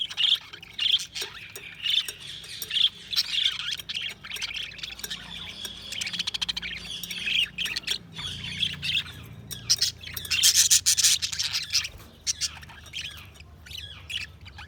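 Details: Continuous budgerigar chatter, a dense stream of warbled chirps and scratchy squawks, building to a louder, rapid clicking burst near the end.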